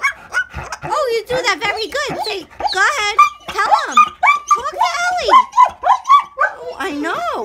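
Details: A pet umbrella cockatoo barks at a Rottweiler with rapid, harsh dog-like barks and yips, about two per second, rising and falling in pitch, mixed with speech-like chatter.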